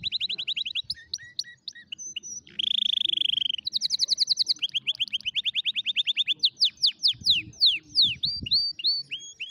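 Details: Canary song used to teach canary chicks correct singing, a varied sequence of rapid trills: a quick rattling series, a brief buzzy rolled phrase, a fast high trill, then spaced downward-sweeping whistled notes, with a faint low thump near the end.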